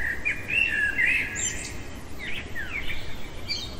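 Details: Blackbird singing at night: fluting warbled notes that slide up and down, then a string of scratchy high twittering fragments.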